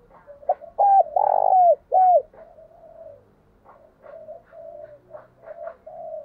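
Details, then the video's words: Decoy spotted dove cooing to provoke wild doves to fight: loud, low hollow coos in a quick burst of three notes, followed by softer repeated cooing phrases. "Chim Cu Mồi Thúc Đấu, tiếng gáy hạp bổi, bổi nghe gáy"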